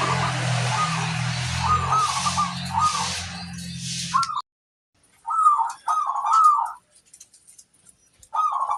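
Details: Local zebra dove cooing for luring other doves: rolling coo phrases over a loud low hum at first, then separated bursts of cooing in near silence.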